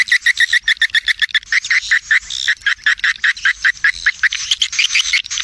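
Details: A swiftlet lure call with stereo effect, made to attract edible-nest swiftlets to feeding areas and flyways and to nest: a fast, nonstop stream of short, sharp, metallic twitters, two or three each second, overlapping.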